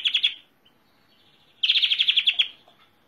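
European greenfinch song: a short burst of rapid twittering notes, a brief pause, then a longer fast, bright trill of about a dozen notes. Nothing else intrudes.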